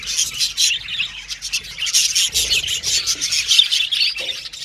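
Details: A group of budgerigars singing, playing and communicating with each other: dense, continuous high chirping and warbling chatter from many birds overlapping, with sharper squawky notes and loudness rising and falling in short bursts.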